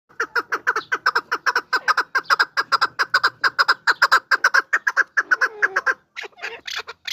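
A chukar partridge gives a fast, steady run of harsh clucking notes, about five per second, building into a hoarse chattering series before a brief pause.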